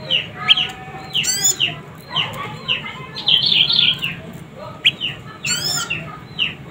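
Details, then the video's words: Juvenile prinia, described as very vocal, giving high, short, downward-slurred chirps in loose series, with brief rising sweeps and a buzzy chattering burst in the middle. "Suara anakan burung prenjak lumut gacor mantab"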